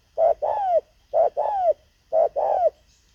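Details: Decoy spotted dove used for luring wild birds, cooing in three evenly spaced pairs, each a clipped note followed by a longer mellow coo that slides down.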